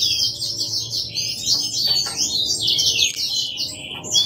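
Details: Hand-reared C. frontalis parrot chick begging: a dense, continuous run of high, thin chirps and squeaky rising-falling notes, with barely a pause, over a faint low hum.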